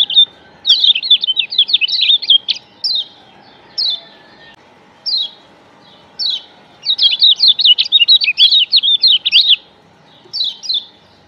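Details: Lombok yellow white-eye (kecial kuning) song used as a lure to draw other white-eyes close: rapid high chirping phrases in bursts, fast twittering runs alternating with short single notes and brief pauses, with a faint steady low hum underneath.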